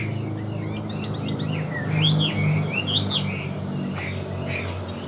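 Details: Caged Chinese hwamei kept for sale, singing well with an even voice: loud looping whistled phrases, rising and falling, repeated quickly over a steady low hum.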